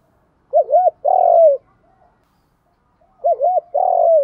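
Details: Spotted dove calls, male and female, used to train and stimulate doves: two low cooing phrases, each a pair of quick wavering coos followed by a longer falling coo, about three seconds apart, quiet background.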